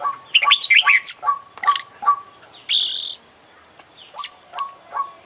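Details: Contest-winning Oriental magpie-robin in full voice with isian-filled song: rapid high twittering and buzzy chatter, then a harsher rasping note, followed by sharp repeated whistled notes spaced under a second apart.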